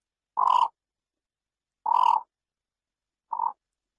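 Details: Three rough, croaking notes from a yellow bittern, the first two long and raspy, the last shorter and softer, spaced about one and a half seconds apart in silence.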